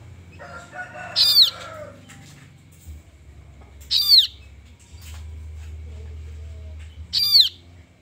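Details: Kaso kaso bird chick begging: three loud, harsh, high calls that sweep downward, spaced roughly three seconds apart, over a low steady hum.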